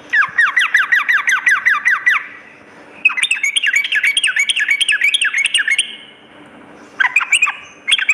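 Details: Busy sooty-headed bulbul song for luring, morning and night: long fast runs of sharp downslurred notes repeated in rattling series, a quiet gap, then short renewed bursts.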